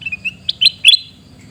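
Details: A sooty-headed bulbul near Reului in Pidie, Aceh, calls with a few soft chirps and then louder, fluty, bubbling notes that rise in pitch, over a faint low hum.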